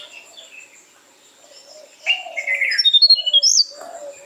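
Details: A Tickell's blue flycatcher (Cyornis tickelliae), blue with a yellow chest, calls while alert in cluttered cover in Anantagiri forest: a fast, high, tinkling run of about a dozen sweet descending notes in under two seconds, after a quiet, faintly noisy start.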